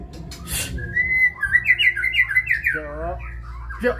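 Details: Kebyok-style song of a white-rumped shama: a long clear whistle, then a quick chain of ringing notes, a lower trilled rattle, and a short sharp note at the close.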